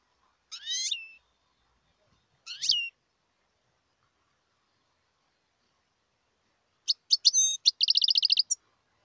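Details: European goldfinch, wild, in Algeria: two rising twittered notes, a long pause, then a fast tinkling run ending in a rapid buzzy trill.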